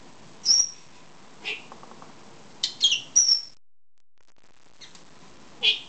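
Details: Pet two-year-old female lovebird wanting a head scratch: short, high, sharp chirps and squeaks, some with a quick downward slide, given in irregular bursts with quiet gaps between.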